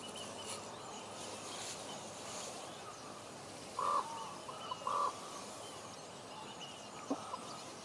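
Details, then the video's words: Common ravens in Juneau, Alaska, heard talking: after a quiet stretch, two deep, clipped croaks a second apart near the middle, with a faint tick later and low background rumble throughout. "Common Ravens Talking in Juneau, Alaska"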